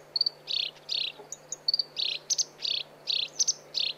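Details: Black-browed reed warbler song for training cage birds: buzzy, rasping phrases repeated roughly every third of a second, alternating with pairs of thin, sharp high chips, against a quiet steady hum.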